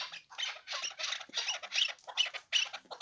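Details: Hybrid chukar partridge giving harsh, raspy chattering bursts roughly two to three per second, loud and uneven in spacing.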